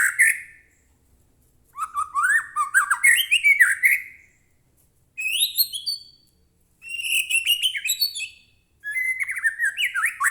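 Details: Captive white-rumped shama song used as a lure to make another caged bird sing: four separate bursts of varied whistles, trills and harsh chattering notes, with quick upward sweeps and pauses of about a second between phrases.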